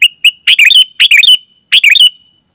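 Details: Sooty-headed bulbul call, loud and clear, used to lure other bulbuls into calling; short bright bubbly phrases of chirpy notes, four bursts with brief whistled tails, clean background.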